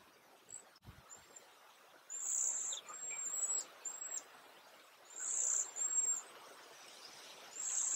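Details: A few Cedar Waxwings at Léon Provancher marsh give very high, thin, lisping whistles, some quick and some drawn out, repeated irregularly over a soft background hiss, one dull thump, and other birds singing.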